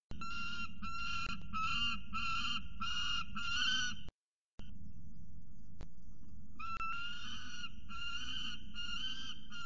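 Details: Pluto, a young male peregrine falcon, screams at his mother on the nest ledge on 12 December 2019, begging for food: harsh, wailing notes about twice a second in two bouts, over a low rumble of wind or traffic.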